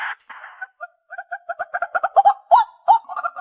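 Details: White-breasted waterhen lure recording for hunting: a harsh opening burst, then quickening paired clucking notes that build into loud, upward-hooked calls.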